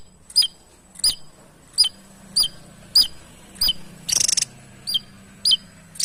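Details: Javan tesia repeating a sharp, high, downward-slurred chip about every half to three-quarter second, nine notes in all, interrupted once by a short dry rattled burst.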